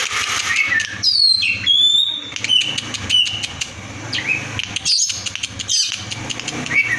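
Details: Kept fighter White-rumped shama with tail fanned, singing 'konslet' after a caterpillar feed to provoke rivals: high whistled upslurs and downslurs with rapid clicking ticks, over constant broadband room noise.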